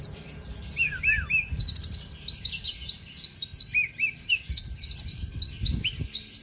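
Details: Kept oriental magpie-robin in Aceh, Indonesia, pouring out a fast varied song of sharp rising whistles, down-slurred notes and rapid chirp series, phrases following each other almost without pause, with faint low rumble beneath.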